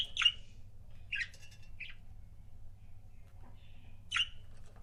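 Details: Pet budgie couples: well-spaced, sharp, high chirps, a pair near the start, a softer double chirp around one and a half seconds, and another clear chirp near the end, in a quiet room with low hum.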